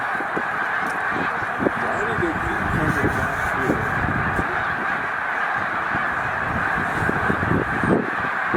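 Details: Snow geese, a flock of about 100,000 at Middle Creek wildlife refuge during their spring migration stop north to breeding grounds, at peak numbers: a dense, unbroken roar of overlapping nasal honks and yelps, with countless birds calling at once.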